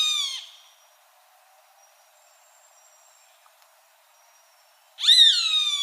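A roadside hawk gives harsh, nasal, high-pitched screams, one at the start and another about five seconds later, with near silence between.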